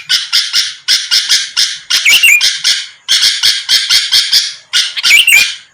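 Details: Sooty-headed bulbul in lively voice, a lure recording meant to draw quick answers from rival birds: rasping, buzzy chatter bursts in clusters about once a second, broken by a couple of short rising whistled notes.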